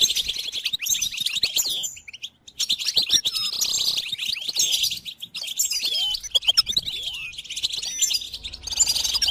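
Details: Goldfinch song used as a training tape for songbirds: continuous bright twittering, fast tinkling chirps and short rising whistles. The dense chatter dips briefly near the two-second mark.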